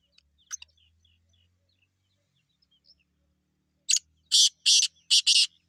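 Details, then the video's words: Wild grey francolin (teetar) calling in natural surroundings; a few faint scattered chirps, then a loud series of four harsh, rapid notes about a third of a second apart, with otherwise quiet background. "جنگلی تیتر کی زبردست آواز"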